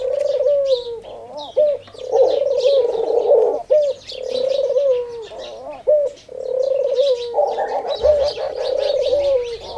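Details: A singing dove, heard daily at prayer time, gives low, rolling coos in repeated phrases of about two seconds each, with faint high chirps of small birds behind.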